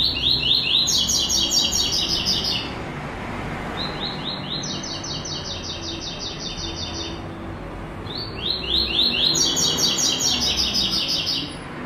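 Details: White-throated seedeater giving the classic tuí tuí zel zel song with third note: three bursts of high, rapidly repeated slurred notes and buzzy trills, each a few seconds long, separated by short pauses, over steady broadband background noise.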